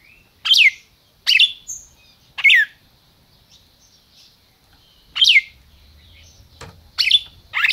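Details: Captive-bred red-crested cardinal in Brazil gives crisp downslurred call notes in two bursts separated by a pause of a few seconds, with a faint click near the end.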